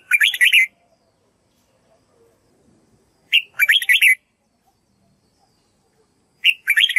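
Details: Red-whiskered bulbul singing as a tutor for young white-cheeked birds: three loud, rich, rollicking warbled phrases, each under a second, repeated about every three seconds with silence between.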